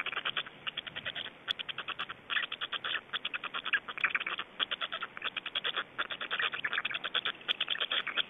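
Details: During a feeding at an Estonian black stork site, 25.05.2012, steady volleys of fast, harsh ticking notes run almost continuously, grouped in bursts of several pulses with short gaps.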